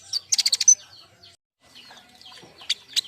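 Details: Young king konin kept as a group: a quick run of about seven loud, sharp, high chirps, then near silence and two more bright notes near the end.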